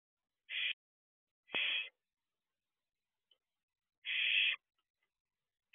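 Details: Young barn owl looking out of its nest box before dawn, 4:31 am, 6/2/23. Breathy rasping screeches come at uneven intervals, three full ones and a fourth cut off at the end, in an otherwise silent night.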